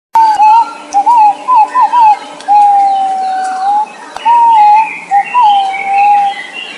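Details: Green pigeon calling with clear, wavering whistled notes, short warbled phrases followed by longer steady whistles, against fainter higher chirps of other birds.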